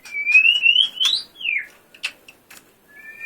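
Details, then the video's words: White-rumped shama singing for a song contest: a long clear whistle rising gradually, then falling away, followed by a few sharp clicks and a soft double whistle. "Murai batu gacor full tembakan"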